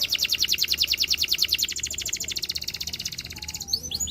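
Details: Russian singing canary whose song is meant to seduce other canaries, delivering a fast, even, high-pitched trill of repeated sweeping notes, about three per second, that slows slightly and ends in quick chirps.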